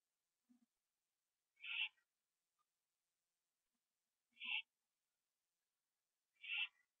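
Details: At 11:15 PM on 21 September 2011, an owl finishes a gopher on a porch. Three harsh, hissing screeches spaced about two and a half seconds apart, with faint low taps in between.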